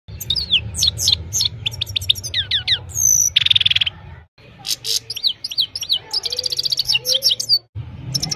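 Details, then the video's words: Himalayan goldfinch singing in the evening, recorded on a mobile phone: rapid high twittering of sharp downslurred notes and short buzzy trills, a brief pause near four seconds, then more tinkling phrases over a low steady hum. "Gold finch simple singing this is really amazing bird song"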